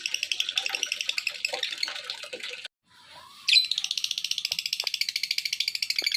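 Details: Lovebird calling to entice other lovebirds to join in; two bursts of high, pulsed chattering separated by a short silent gap, the second burst sharper and more rapid.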